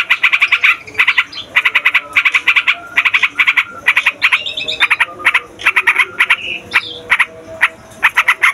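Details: A yellow-vented bulbul gives a lively, noisy song, with short bursts of chattering notes broken by varied whistled phrases and short rising notes. Clear pauses separate groups of notes every half second or so.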